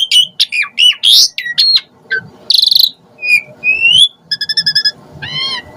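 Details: Asian pied starling sound used to provoke starlings into responding: dense squeaky chattering, a harsh buzzy burst, rising whistles and a quick trill of evenly spaced notes, then a short wavering phrase.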